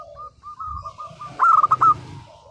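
A zebra dove sings soft, mellow cooing notes in a quick run, ending in a louder rolling burst of coos near the end. Faint low rumble behind.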